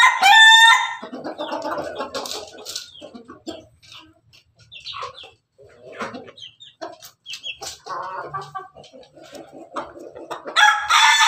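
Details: Red Ayam Ketawa (laughing chicken) rooster standing on its cage, crowing sweetly: a loud harmonic crow opens, then scattered stuttering chuckles and short notes, and another bright, loud crow at the end.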